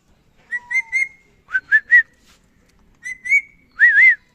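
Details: Pet Indian ringneck parakeet talking: short bursts of two or three harmonic, whistle-like syllables near the middle of the range, with small pitch bends, in three groups separated by brief pauses, no other sounds.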